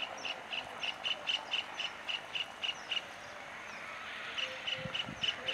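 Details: Red avadavat calling: a quick series of thin, high chirps repeated several times a second in bursts, with a short pause midway. Faint low thumps are heard near the end.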